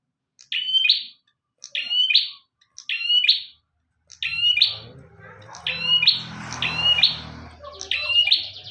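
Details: Bar-winged prinia singing actively, a recording meant for training other birds: bright, high two-part phrases with a buzzy end, repeated about every second and a half, steady at first, later over a low rumbling background noise.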